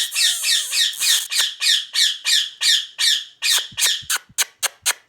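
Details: Pet Indian ringneck parakeet screeching over and over, about three harsh, raspy squawks a second. The calls grow shorter and more clipped toward the end, and faint low knocks sound beneath them.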